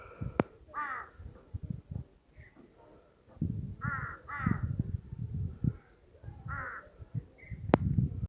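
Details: Raucous crow caws in groups of two or three in a Himalayan forest village of Tirthan Valley, over loud low rumbling noise and a couple of sharp clicks.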